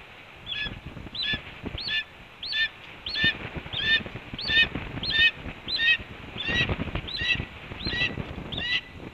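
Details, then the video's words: At a Cornell nest on 7 April 2013, 8:39 AM EDT, a red-tailed hawk announces breakfast delivery with a steady series of about thirteen short, hoarse, downward-slurred calls, roughly every 0.7 seconds, over rustling nest noise. "BR's Breakfast is Announced By BR and Delivered by Ez"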